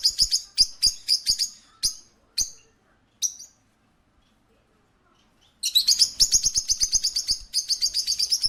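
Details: A parakeet at a pet shop gives sharp, high chirps about four per second, pauses briefly, then breaks into rapid, scratchy chattering.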